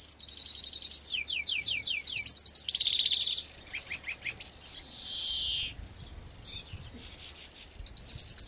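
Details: Aviary-bred agate greenfinch singing a varied, fast twitter. It mixes descending chirp series, sharp rattling trills and a long nasal wheeze, with a few high ticking notes near the end.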